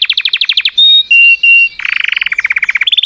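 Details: Canary singing: fast rattling trills of downward notes, then pure steady whistles near the same pitch, then buzzy repeated trills at a lower pitch rising again at the end; loud and clean, no other sounds.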